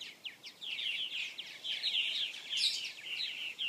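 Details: Purple martins at a nesting colony with gourds and houses in South Florida, 2014: a steady stream of gurgling, chirping notes, many short downslurred and upslurred chirps overlapping from several birds.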